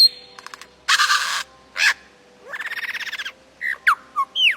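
A lyrebird runs through a jumble of sounds: quick clicks, harsh rasping bursts, a fast even chatter, then sharp rising and falling whistles.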